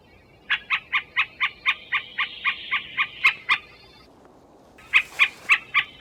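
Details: Middle spotted woodpecker in an old forest, answering a lure call, which reveals its territory: a slowing series of about twelve nasal, harsh quacking notes, roughly four per second, then a pause and four more.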